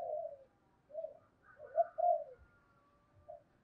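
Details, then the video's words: Spotted dove decoy cooing to provoke fighting, recorded faintly with background hiss: low smooth coos and a slightly louder double-note coo in the middle. "cu gay kich boi nhanh noi gù"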